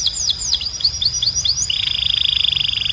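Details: Belgian canary song from a strong, clean training collection: a run of quick descending whistled sweeps, then a fast, even, buzzy trill held steady for over a second, over a faint constant high tone.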